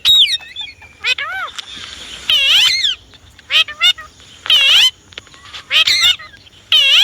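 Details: A pet Indian ringneck parrot gives loud, shrill, harmonic screeches and wavering chattering bursts, about a dozen sharp calls spaced irregularly with short quiet gaps between them.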